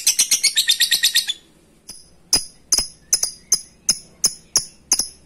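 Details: Lovebird ngekek rival call: a brief burst of quick rasping notes, a short silence, then slower, widely spaced sharp chips.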